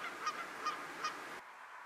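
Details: A Lesser White-fronted Goose in Geel, Belgium, in January 2020, gives three high, squeaky yelps about every 0.4 seconds over a steady background hiss.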